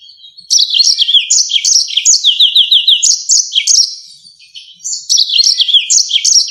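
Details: Yellow-fronted canary giving rolling, sharp 'ngerol nembak tajam' song meant for tutoring songbirds: rapid twittering phrases of falling whistles and buzzy notes, a brief quieter pause near the middle, then the song bursts out again.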